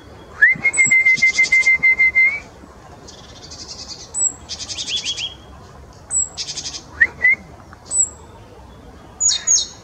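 A nuthatch gives a long, steady mid-pitched whistle, then bursts of rapid piping notes mixed with thin, very high whistles repeated every second or two.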